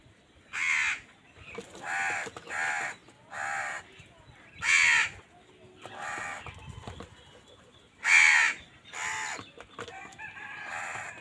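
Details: Many harsh caws from crows fighting wild birds for food, about ten calls of varying loudness spread irregularly over eleven seconds, suggesting several birds calling.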